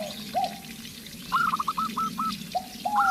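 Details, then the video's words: Local zebra dove sparring in song with a spotted dove lure: a soft coo, a lively staccato series of five bright notes, then more drawn coos, over a low background rumble. "Perkutut Lokal Gacor VS Terkukur Pikat Gacor, memancing agar rekukur bunyi"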